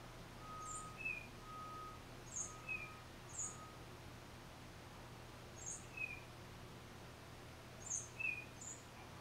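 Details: Lone tufted titmouse singing solo, captured with a Nikon D3500 and 500mm lens: thin high notes, each followed by a brief lower whistle, repeated at uneven intervals, with a faint steady tone and low background hum.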